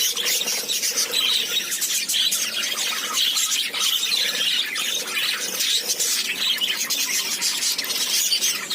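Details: Lovebirds in a dense, continuous chorus of shrill squeaks and chirps, many birds calling over one another without pause, with sharp high notes piling up throughout.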